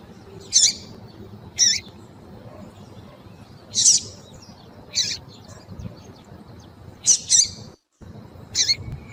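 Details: Female Double-collared seedeater in heat, calling eagerly to stir a male, from breeders' birds: clipped high chips, sometimes doubled, spaced irregularly a second or more apart over low steady background noise, with one short silent break.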